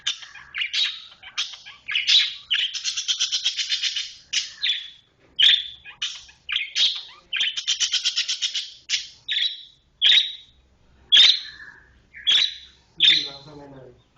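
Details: Long-tailed shrike (cendet) performing a fast, tight 'roll speed rapat' song: rapid sharp chirps mixed with long buzzy rattling rolls, then separate strident notes about one per second.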